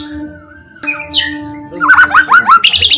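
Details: White-rumped shama song to set off other shamas: a soft gliding whistle, then a rapid run of loud descending notes and high chips, above a steady hum.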